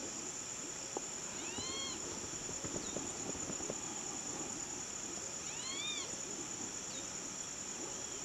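A limpkin gives two loud, wailing, cat-like cries about four seconds apart, each rising then falling, over a steady high insect hiss and low rumbling background noise.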